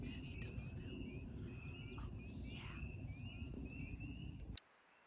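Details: An American woodcock (timberdoodle) at night in a backyard during its flight display gives a thin, fluttering twitter, steady for over four seconds, over a heavy low rumble of wind or handling noise.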